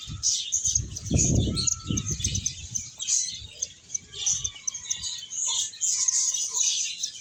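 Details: Finches playing and eating give a constant high twittering chorus, while deep rumbling thumps and handling noise sound early on before fading.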